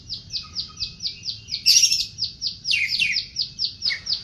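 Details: Oriental magpie-robin singing vigorously: a rapid series of high, slurred chirps repeated several times a second, broken by a burst of harsher scratchy notes, over a steady low hum.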